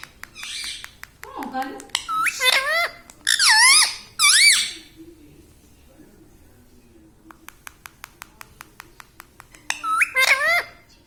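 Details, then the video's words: Pet ringneck parrot mimicking words such as "Mitthu" and "Mami": several short, rising, squeaky spoken bursts early on, a long quiet stretch with steady ticking clicks, then one more brief nasal word near the end. "Mitthu Mitthu Bolne Wala Batuni Tota - Talking Parrot"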